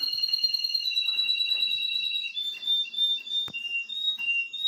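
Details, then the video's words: Steady, loud, high whistled trill from a nine-year-old male Russian canary tutoring his grandchildren, smoothly changing pitch midway, with a sharp click near three and a half seconds. "russian canary . Пение русских канареек"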